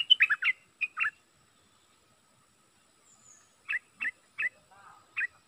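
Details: Decoy bulbul delivering a quick cluster of bright chirped notes, then a long silence followed by four evenly spaced short warbled calls near the end.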